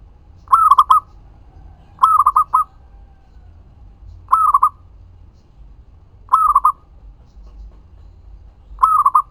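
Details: Local zebra dove in strong voice, recording used as a lure for other doves; five evenly spaced phrases of soft rolling coos, one roughly every two seconds, over quiet low rumble.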